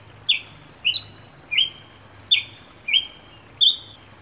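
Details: Ruby-crowned Tanager (tiê-preto) of Brazil gives six high chipped notes, each dragging into a short buzzy slur. They repeat roughly every half second to two-thirds of a second over a steady low background hum.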